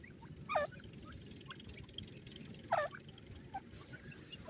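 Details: Ten-day-old grey francolin chicks feeding on green grass: two distinct, falling peep calls about two seconds apart, with faint scattered chirps and a steady low hum.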